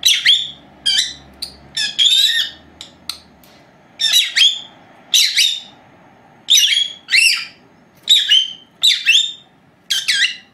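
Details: Pair of young female pet lovebirds, four months old, recorded indoors while napping by an unattended old camera; quick bursts of piercing, buzzy chirps, some doubled, in an irregular series with short silences between.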